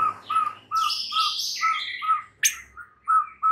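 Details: White-rumped shama song used as a lure recording to calm a stressed shama and spur it into loud, fierce singing: a steady, evenly spaced string of mid-pitched clear notes laced with brighter, higher whistled and rasping phrases, then a sharp upward sweep.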